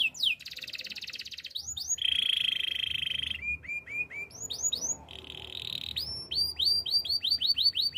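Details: Belgian canary singing a training song: a rattling trill, a long low buzz, short flat pipes, then a run of rounded chirps repeated several times per second.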